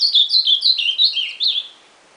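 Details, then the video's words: Ultramarine grosbeak song already under way: a rapid run of about six warbled whistles stepping slightly downward, each short and slurred, fading into quiet at the end. "AZULÃO CANTANDO"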